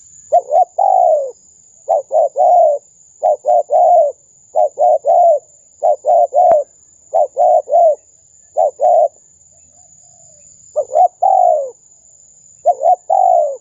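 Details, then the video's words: Spotted dove lure call from a vigorously calling bird, meant to pull in wild doves: a long, rapid run of repeated coo phrases, each a clipped double note and a longer coo, with a brief pause midway and a steady high tone throughout. "Suara pikat~burung tekukur gacor"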